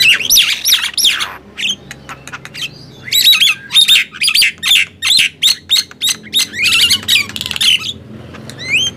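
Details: Nias hill myna and black-winged myna compete in loud singing (gemboran): harsh squawks, a brief pause, then a long rapid series of sharp, clipped notes and a few closing whistles.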